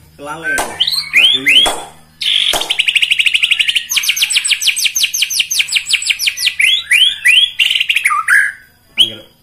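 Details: Loud white-rumped shama song meant to provoke rival birds: descending slurred whistles, then long fast series of rasping, repeated notes in rapid rhythm, ending with upward-sweeping whistles.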